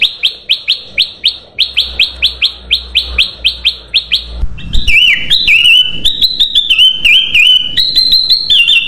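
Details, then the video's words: Ruby-throated bulbul song used to lure birds: a fast series of sharp chip notes, then a continuous, varied warbling song with wavering whistled notes. "SUARA BURUNG KUTILANG EMAS UNTUK PANCINGAN DAN SUARA PIKAT"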